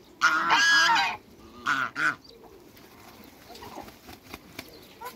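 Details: An African goose, one of a backyard pair kept with other waterbirds, gives one loud, harsh, sustained honk, then two shorter honks, followed by quiet background activity.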